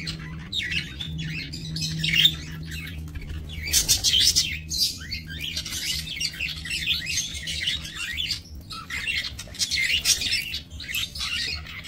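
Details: Captive budgerigars bred in a small aviary, 28 November 2024, giving a long stretch of busy chirping and scratchy warbles from many birds, louder bursts near four and ten seconds, a steady low hum beneath.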